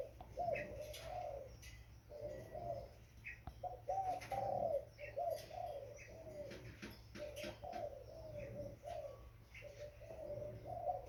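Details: A young spotted dove coos steadily in short, rounded, repeated phrases that swell and fade, while light clicks and distant chirps sound behind it.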